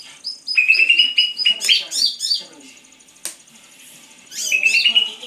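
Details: Greater green leafbird song with runs of rapid repeated whistled notes, then varied chirps, a sharp click, a quieter pause, and a final burst of fast trilled notes.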